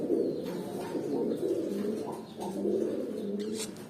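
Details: Kept young adult pigeons, eight to nine months old, produce a soft, continuous murmur of deep rolling coos, with swells repeating roughly every second or two.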